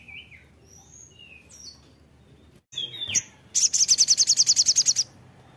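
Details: Crimson sunbird song: soft, thin slurred whistles at first, then a sharp downslurred note and a loud, very high, evenly pulsed buzzy trill of about fifteen notes.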